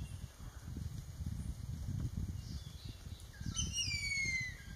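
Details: Newly fledged Jerdon's baza, one of three fledglings from a nest in Kaeng Krachan National Park, Thailand, 13 July 2021, gives a single drawn-out downward-sliding whistle over a steady low rumble and thin high hum.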